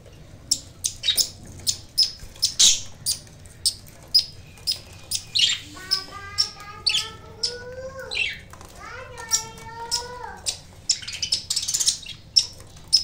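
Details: Pet budgerigars feeding on fresh potato leaves and green sprouts: sharp, high chirps repeated about every half second throughout, with two longer harmonic notes midway that rise slightly, then drop, amid steady low background hum.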